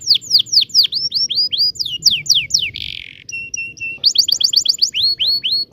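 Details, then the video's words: Long 'ngerol' canary song for tutoring young canaries. Quick descending whistles repeated in a run, a short buzz, three flat piped notes, then a fresh fast roll of sweeping notes. "kenari gacor panjang TEMBAKAN NGEROL"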